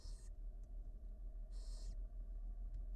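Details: Barn owl nestlings at the University of Florida begging while the female brings food, recorded by a live birdcam: two breathy, noisy screeches, the second longer, separated by a pause, with a deep hum throughout.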